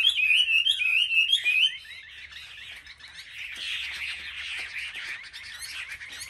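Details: Caged Chinese hwameis, selected birds on a market rack, in competitive singing: bright whistled phrases with rapid repeated upslurred notes for two seconds, then a quieter, denser jumble of overlapping warbling.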